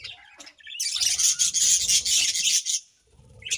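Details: Budgies at morning: a sustained, loud, buzzy warble with a grating texture lasts about two seconds, framed by a few short chirps before and after.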